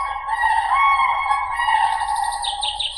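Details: Common crane giving a loud, sustained trumpeting call, a rolling harmonic note held for about three seconds, with faint higher bird twitters near the end.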